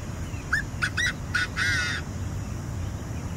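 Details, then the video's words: A francolin gives a short run of harsh, grating notes, four or five quick bursts over about a second and a half, against a steady low rumble. "Francolin call sound"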